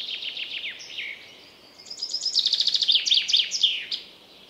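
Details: In a forest, a common chaffinch delivers a brisk phrase: a few slurred downward notes, then an accelerating run of sharp repeated chips ending in a terminal flourish, with quieter chirps from other birds around it.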